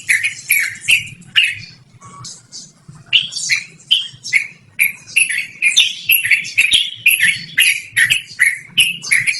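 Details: Yellow-vented bulbul in full, long rolling song, loud and clear, used for luring or tutoring birds: harsh, bubbly chattering notes repeated about twice a second, with a brief softer pause early on and a low steady hum beneath.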